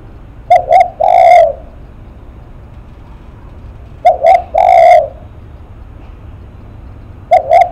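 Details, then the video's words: Close spotted dove, called a face-shaking cooer, repeating its cooing phrase about every 3.5 seconds: two quick short coos, then a drawn-out rough coo. The start of a third phrase follows, with little other sound. "Cu Gáy Lắc Mặt"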